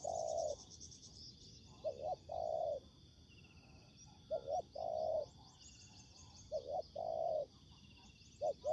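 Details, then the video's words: Spotted dove used as a ground decoy in trapping, meeting wild rival doves during the season; low soft cooing phrases of two or three hollow notes repeat with pauses, faint high chirping of other birds behind. "Bẫy cu gáy mồi đất : Tuyển tập Mồi cùi bắp gặp Bổi trận của năm"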